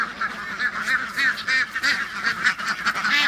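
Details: A flock of 23 excited domestic ducks, mostly females with three males mixed in and a guinea fowl calling nearby, quacks in a dense, overlapping, happy chorus: rapid, nasal, harmonic calls several times a second, without pause.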